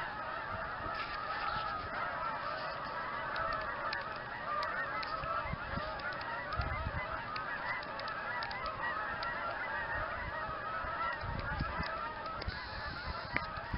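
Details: A large migrating flock of Canada geese at Campbell's Bay honking continuously, a dense chorus of overlapping nasal calls.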